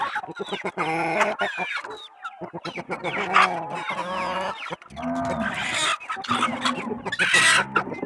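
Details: Free-living flock of farm chickens in rural surroundings: bursts of busy clucking and drawn cackling notes from several hens, broken by a brief pause and then louder, harsher calls.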